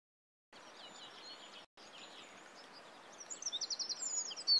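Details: Red-footed falcon at a nest in Polgár, Hungary, during the 2024 breeding season, giving a fast, shrill series of high repeated notes in the last second and a half, after faint chirping from other small birds.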